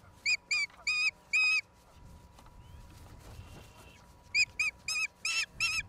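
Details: At a Charlo, Montana nest on April 26, 2022, an osprey gives four ringing whistled calls, falls silent amid rustling noise, then delivers a fast burst of six more shrill chirps.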